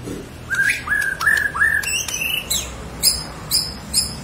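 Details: White-rumped shama of the Borneo form singing vigorously, meant to trigger singing in silent birds: four upslurred whistles, a higher slurred phrase, then short high sharp notes spaced about half a second apart over a steady hiss.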